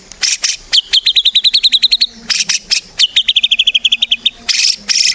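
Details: White-rumped shama song meant to lure other shamas into singing: harsh noisy bursts between fast trills of evenly spaced high notes, with a faint low hum underneath.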